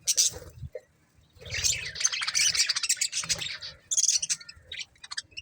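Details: Chirping from a breeding pair of budgies: a long run of continuous buzzy, warbling chatter with rapid squeaks, broken by a short pause before further sharp high notes.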